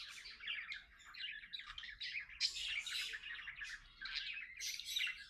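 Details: Two companion budgies sing a dense, unbroken warble of scratchy chirps and brighter squeaks, with louder bursts around the middle and end, while talking and playing together.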